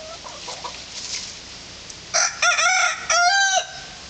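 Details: Malnad naati rooster, a hardy heritage breed from the Western Ghats that manages a flock of hens, giving a bright crow: three loud, ringing, harmonic segments after faint background clucks and noise.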